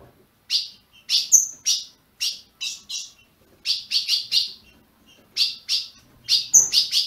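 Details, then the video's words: Captive azulão (Ultramarine grosbeak) in Brazil chirping to warm up a caged bird: irregular bursts of sharp, buzzy high chips separated by silences, with two brief pure whistles and a faint low rumble near the end. "Azulão piando, 30 min. para esquentar seu azulão"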